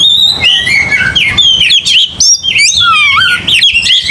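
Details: Aggressive song of an Oriental magpie-robin: continuous loud, clear whistles with slurred notes, rising and falling sweeps and a lower dipping whistle, delivered without a break.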